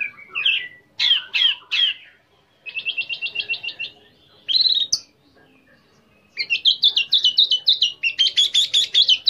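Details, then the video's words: Orange-headed thrush singing to draw another into song: scratchy twittered phrases, a fast even series of repeated notes, a brief pause, then a long run of rapid rising chirps. "PANCINGAN ANIS MERAH CEPAT BUNYI DAN LANGSUNG TELER"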